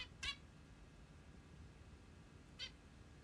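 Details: A zebra finch, a plump female kept as a pet, in the morning gives two brief, nasal, toy-trumpet calls about two seconds apart over a low, steady room hum.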